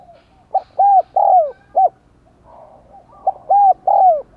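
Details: Spotted dove used as a decoy, cooing in 'giọng đồng còi' style to stimulate other doves; two four-note phrases, each with a brief lead note, two arched coos and a short end note, separated by soft murmuring.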